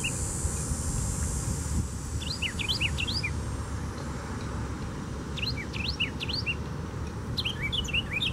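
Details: Carolina wren at Tattnall Square Park, July 29, 2015: two bursts of rapid rolling phrases, each a quick series of repeated sweeping notes lasting about a second, with a third starting near the end, over steady traffic rumble.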